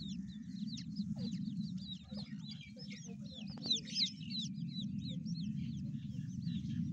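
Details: Chicks of grey francolin chirping busily, high sliding peeps about three per second, some overlapping, above a strong continuous low-pitched hum.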